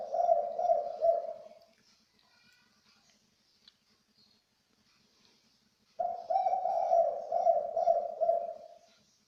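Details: Spotted dove giving its three-note "kuk" call, a type described as special and rare. Two low, husky coo phrases, each lasting about two seconds, are separated by a quiet pause of four seconds. A faint low hum runs underneath.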